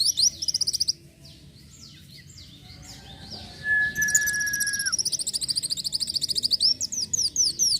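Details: Van Hasselt's sunbird singing energetically: a brief high trill, a quiet gap with a lone level whistle, then a long sustained buzzy trill and rapid repeated downslurred notes.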